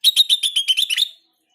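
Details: Sooty-headed bulbul lure meant to make other bulbuls call back: about nine fast, loud, shrill chirps in just over a second, ending in a slurred rising note, then silence.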